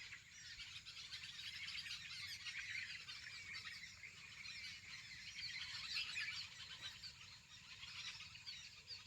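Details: Many small birds gather in the evening to roost in dense trees on a farm field's boundary bund, twittering and chirping at once in a dense, unbroken high-pitched chorus, with only a faint low rumble underneath.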